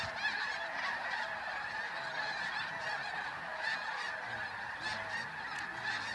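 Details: Hordes of geese honk in a dense, overlapping chorus of nasal, yelping calls that never lets up as they take flight at dawn, leaving sandhill cranes behind, Flight Deck, Bosque del Apache, San Antonio, New Mexico, 10 November 2013.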